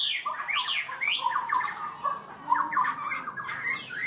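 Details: Chinese hwamei kept as a cage bird, praised for high, elaborate singing, pours out dense, slightly harsh warbled phrases, fast up-and-down slurs crowding together with scratchy edges, over a thin constant high whine.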